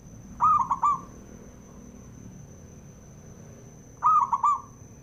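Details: Local Javanese zebra dove male singing a call used to provoke other doves: a three-part coo phrase given twice, roughly three and a half seconds apart, mellow and level-pitched with a short middle note, steady faint hum behind.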